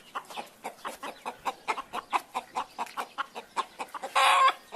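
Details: Domestic hen clucking in a fast, even series of short, sharp notes several per second, ending in a sudden louder harsh squawk.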